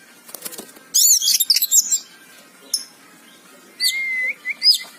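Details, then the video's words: Oriental magpie-robin giving short separated song phrases: a brief loud chattering burst, then a lone note and a few clear drawn-out whistles, with quiet gaps between. "Suara burung kacer gacor"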